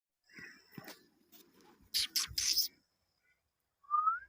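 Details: A pet ring-necked (rose-ringed) parakeet talking: it mumbles speech-like chatter, gives a few harsh, raspy bursts, then ends on a short rising whistle.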